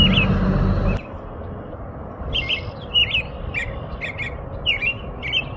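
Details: Song of the American robin: after a brief burst of loud low noise, clear caroled phrases of two or three whistled notes, about two a second, each followed by thin high squeaks.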